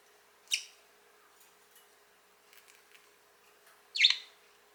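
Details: A pet budgerigar playing with seagrass on a rooftop after a spray bath gives two short, sharp, high chirps about three seconds apart.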